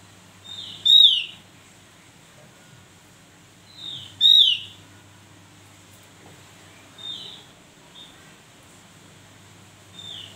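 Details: Vigorous Javan grey-throated white-eye used as a tutor singer, giving two loud, bright whistled notes that slide steeply downward, about three seconds apart, then softer, fainter whistles over a low background hum.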